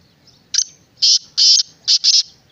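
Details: Kala teetar, the black francolin, delivers a grating five-note phrase: a brief harsh opener, two drawn-out rasping notes, and a quick double note at the end, with little else audible.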